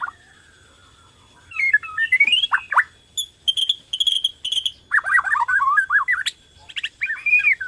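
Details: Borneo white-rumped shama lure song to set other shamas singing: after a quiet start, swooping whistles, a run of rapid high ticking notes, then dense warbled chatter and a final arched whistle.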